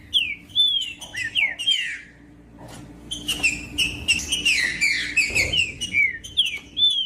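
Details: Green-winged saltator, a calm bird in the bush, its song aimed at stirring up rival birds: clear downslurred whistles in quick series, a short pause, then a fuller burst of overlapping whistled phrases.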